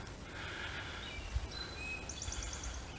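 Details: Eastern Towhee singing its 'drink your tea' song, thin high whistled notes then a quick trill, in edge habitat by a power line cut near a seep wetland in a Hunterdon County park; low outdoor rumble beneath.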